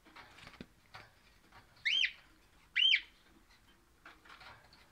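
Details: A happy orange pennant, or crimson rosella, gives two bright arched whistles about a second apart over faint rustling and clicking.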